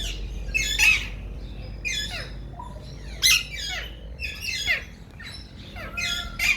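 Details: Alexandrine parakeets, a caged breeder pair of male talking parrots, give harsh, raspy squawking bursts, about six loud rough calls spread over several seconds with brief gaps, over a steady low indoor hum.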